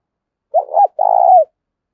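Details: Single phrase from a spotted dove used as a fighting lure: a quick broken two-part coo, a brief pause, then a drawn-out vibrating coo that dips at its end.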